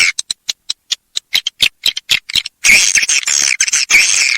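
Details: Swiftlet from Kalimantan: a run of short, sharp clicking chirps at uneven spacing, then dense, harsh buzzy chattering with brief gaps over the last half.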